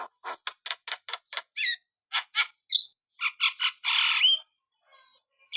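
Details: Javan myna in full vigorous song, giving a quick series of dry scratchy notes, a short whistled slur and a sustained harsh grating burst that rises at the end, then near silence.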